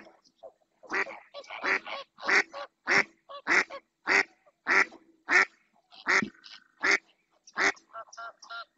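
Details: Long run of insistent quacks from a female mallard in the Doñana marshes of Spain. A dozen loud, rasping notes, steady at about one and a half per second, trailing into softer, shorter calls.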